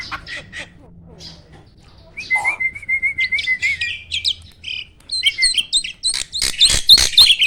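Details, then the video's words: Caged starling kept for songbird contests, its mimicry-filled song described as roll, shot and speed styles. Faint chirps open the clip, then a long level whistled trill and a burst of loud, sharp, varied notes. "Burung jalak isian ISTIMEWAH!! selalu JUARA || Gacornya bukan main."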